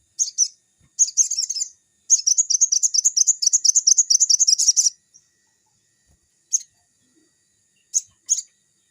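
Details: Crimson sunbird singing as a lure for young birds; a short chip, a quick burst, then a long, even, rapid trill of sharp high notes for about three seconds, followed by isolated single chips.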